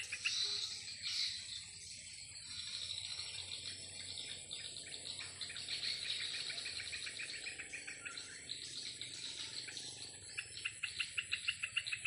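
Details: Afternoon chorus of swiftlets circling over their swiftlet house: overlapping high, shrill twitters and chirps run throughout, with a quick train of sharp clicky notes near the close and a faint low drone.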